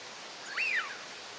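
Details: A wintering Northern pintail (Anas acuta) in a park pond in Chiba, Japan, January, gives one short, fluty whistle that rises and then slides down over a steady hiss of moving water.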